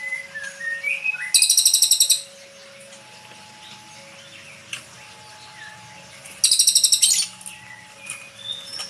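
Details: Fledgling white-rumped shama, just lifted from its parents' breeding cage: two bursts of rapid buzzy rattling notes about five seconds apart, with soft whistles between them over a steady low electrical tone.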